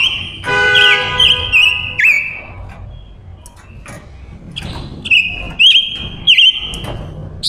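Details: Silver-eared mesia lure female song for attracting wild males: clear, loud whistled phrases with wavering, looping notes in two bursts, separated by a quieter stretch of scattered clicks, plus a brief buzzy tone early on.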